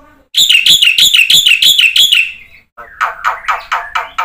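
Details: Black-winged myna singing energetically, used as a lure for birds that will not sing: about seven quick buzzy notes with a ringing whistled edge, a short pause, then a series of harsher, rougher notes.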